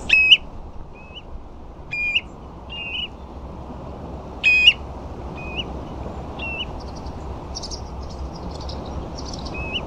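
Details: Common ringed plovers on sandflats at Ferrybridge, Portland, giving soft, rising whistled calls, about nine in ten seconds, over a steady roar of wind or surf, with faint higher twittering from other shorebirds including a few Dunlin.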